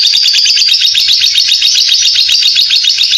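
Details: Ngekek song of a lovebird turning in place, played to encourage other lovebirds to sing; dense, loud run of rapid shrill chirps in an even buzzing rhythm throughout.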